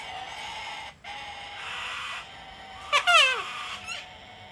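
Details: Hand-fed wild cockatoos on a deck in Australia, cold and wet winter weather; a steady low hum runs beneath a faint rasp, then one loud squawk drops sharply in pitch, followed by a shorter echo of it.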